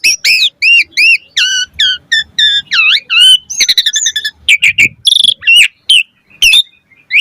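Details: Asian pied starling singing actively, fast and varied for a trigger recording: a run of looping whistled notes gives way to buzzy trills, high squeaks and scattered whistles.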